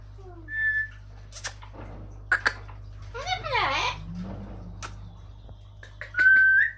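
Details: Amazon parrot mimicking speech, said to say "allah hu" and "mashallah": a short clear whistle, a rough speech-like phrase with sweeping tones, then a bright rising whistle at the end, with music and background hum.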